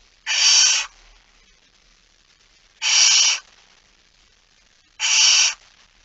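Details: Barn owl holding a mouse, recorded on 17 September 2019 at 06:11: three long, harsh, hissing screeches of about half a second each, repeated roughly every two and a half seconds against a quiet background.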